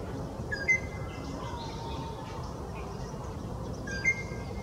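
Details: Greater racket-tailed drongo imitating a Rufous Treepie call, giving two sharp whistled notes with a short hooked ending, separated by a few seconds of quiet background noise.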